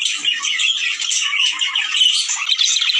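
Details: Budgerigars in a mating chorus meant to get males and females breeding: busy overlapping twitters, whistled chirps and harsh squawks from many birds, unbroken for three seconds.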